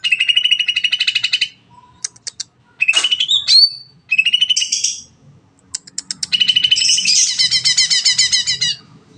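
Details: Varied long 'nembak' song from a greater green leafbird, used to provoke other birds into song: rapid chattering trills, scattered clicks, a rising whistled slur, then a dense buzzy run of high notes at the end.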